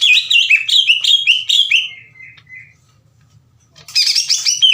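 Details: Aggressive greater green leafbird singing loudly, challenging another leafbird: a fast run of rising and falling whistled notes that fades to a lower trill, a near-silent pause, then a renewed burst of harsh high chatter.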